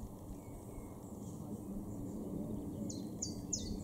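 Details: Common chiffchaff (Phylloscopus collybita) song in a garden in Norden, East Frisia, northwest Germany, April 2023: four or five short, bright, slightly falling notes, about three per second, near the end over a steady low rumble.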